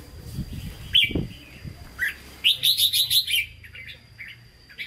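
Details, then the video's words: Caged red-whiskered bulbul kept for sale, singing in Hue style: a quick run of about seven loud, even whistled notes, with scattered chirps before and after, plus low thumps and a steady faint high tone. "Chào Mào Chuẩn Giọng Huế Hót Ché"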